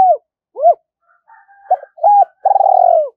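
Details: Spotted dove used as a decoy, calling to lure wild birds into a fight; low hooting coos, short arched notes followed by a longer throbbing coo rising and falling, with quiet gaps between phrases.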